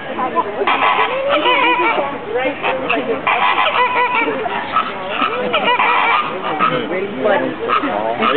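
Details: Flamingos in a sociable zoo flock at the Bronx Zoo keep up a continuous clamour of honking and grunting calls, many birds calling at once with no pauses.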